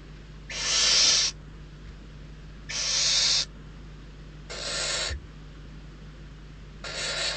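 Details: Hungry barn owl nestlings squabbling over prey brought to the nest at Riet Vell reserve, Ebro Delta; four broad, breathy screech-hisses spaced about two seconds apart, fading slightly in loudness, over steady low hum.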